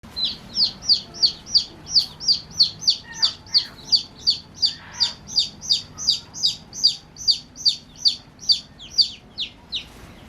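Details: Baby chicken chicks playing, giving loud high peeps that fall in pitch, repeated steadily about every 0.4 seconds, with a few softer peeps in between.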